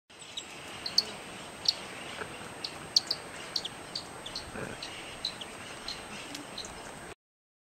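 White-throated treerunner giving sharp, high, thin chips at an uneven pace, a dozen or so in seven seconds, over a steady high whine and soft background noise.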